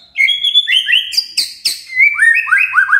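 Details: Lure song to stir a silent shama into singing: fast, varied whistles with two harsh, noisy bursts in the middle, then a run of upslurred whistled notes repeated several times a second.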